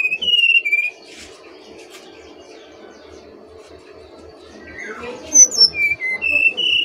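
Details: Brown-chested jungle flycatcher opening with a short descending whistled phrase, then faint rustling, and ending with a longer series of clear whistles stepping down and back up.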